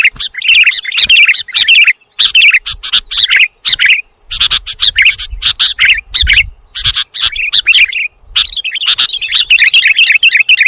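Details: Sooty-headed bulbul calls from a lure recording made to attract birds: fast runs of sharp chirps and warbled notes in clustered bursts, broken by short pauses, with a soft low rumble in the middle.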